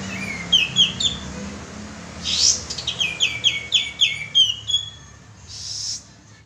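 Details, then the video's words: Kapas tembak bulbul lure call: a few high chirps, a harsh burst, then a steady run of about eight sharp descending chirped notes spaced roughly half a second apart, ending in a noisy rasp. "suara pancingan burung kapas tembak"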